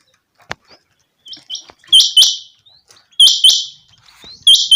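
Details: Changa quail caught for hunting gives high, sharp paired call notes after a few quieter ticks and a click, the pairs recurring about every 1.2 seconds.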